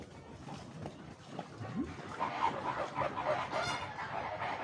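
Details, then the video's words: Flamingos calling, a series of nasal, goose-like honks in the second half, repeated over a steady background of noise and low rumble. "طيور البشروش | الفلامينجو الغريب"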